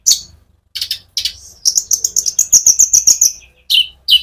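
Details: Sunbird (konin) in continuous rolling song, used to provoke other birds: scratchy high chirps lead into a rapid, even series of about a dozen high notes, then two downslurred chirps.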